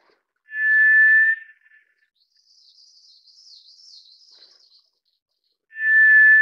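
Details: Mournful single whistles from a White's thrush, even in pitch and about a second long, two of them roughly five seconds apart. A faint high wavering bird twitter fills the gap.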